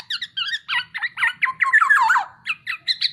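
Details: Black-naped oriole (kepodang) masteran song: a quick series of bright, harmonic chirps that swell into a rolling, descending warble before a few clipped closing notes.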